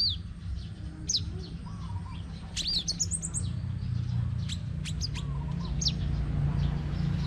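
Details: Crimson sunbird in competition singing, from Tân Phú district, Đồng Nai, Vietnam: sharp, very high chips and quick downslurred notes in scattered bursts over a steady low hum, with faint lower chirps from other birds.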